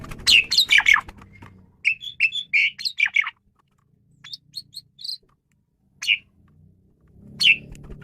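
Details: Male Asian pied starling in varied song, recorded as a training lure for other birds: a loud harsh burst, then a chain of whistled and buzzy notes, sparse high ticks, scattered squawks and low background rumble.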